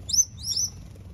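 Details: New Holland honeyeaters: two quick, very high, sharp whistled notes that sweep up and then down, close together against a quiet low rumble.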